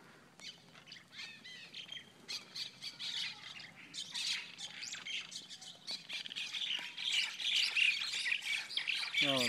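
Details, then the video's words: Mynas in a big fight encountered on the way home: a rapid, harsh chatter of grating squawks and scratchy notes building in intensity as the fight grows, with a man briefly exclaiming. "Myna Bird Scrap"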